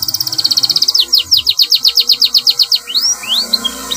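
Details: Canary delivering a long rolling training song: a quick high trill gives way to a steady series of downward-slurred notes, about four per second, ending in rising whistles, with a faint background murmur.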